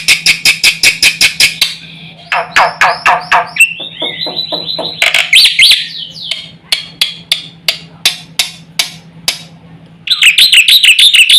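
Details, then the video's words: Black-winged myna singing to rouse other mynas: rapid harsh chatter, buzzy trilled phrases, then spaced sharp clicks about twice a second, closing with a rolling whistled trill; a faint low hum underneath. "suara jalak putih gacor full isian sekali pancing semua burung jalak ribut gacor"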